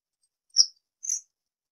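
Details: Citrine wagtail uttering two brief high chirps half a second apart, the second slightly buzzier, with nothing else audible.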